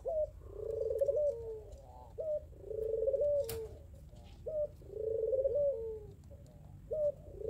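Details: Barbary doves (puter pelung) answer each other calling to rivals, trading low, rolling coos, each a short clipped note then a long purring coo, about every two seconds over a low hum.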